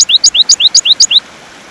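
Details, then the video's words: European goldfinch song meant for training caged birds to sing: a short rhythmic trill of about eight bright, high upswept notes, evenly spaced, lasting just over a second before silence. "تغريد طائر الحسون"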